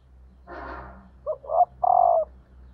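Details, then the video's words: Female spotted dove decoy calling to stimulate males. A brief rough rustling burst comes first, then a clear coo of two clipped notes and a sustained, even, hollow closing note over a faint low hum. "cu mái gáy kích trống hiệu quả"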